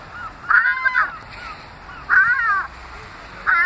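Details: Fighting gulls at St Ives where people feed them: three loud nasal wailing cries about a second and a half apart, each a short harsh burst over low background noise.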